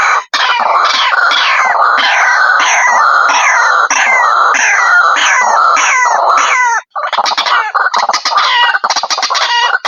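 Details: White-breasted waterhen calls used as a lure to draw birds in: loud, harsh, repeated notes with falling sweeps, about three to four a second in a continuous overlapping series, then a brief gap and choppy bursts.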